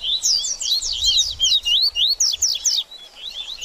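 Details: Double-collared seedeater singing a dense, rapid song meant to warm up a bird after feather moult; high twittering notes sweep up and down in quick succession, broken into several short phrases.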